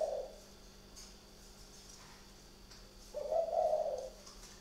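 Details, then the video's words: Spotted dove calling at night in a bird garden in Ba Vì, Hanoi, Vietnam: the tail of one coo, then quiet, then a fuller low, throaty coo of about a second near the end. "chim gay đêm"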